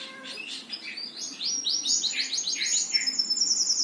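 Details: Bird song: rapid chirping of quick notes that climb in pitch and then tumble, repeated several times a second, ending in a high thin trill.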